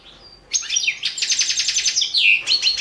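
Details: Balkan European goldfinch singing for an online world championship in goldfinch song: a thin drawn whistle, then dense rattling trills and sharp liquid twitters, loud and unbroken.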